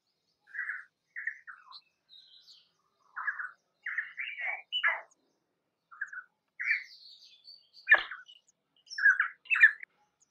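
Painted spurfowl giving short, harsh mid-pitched notes in uneven bursts, with a sharp higher note near the end and faint thin chirps above.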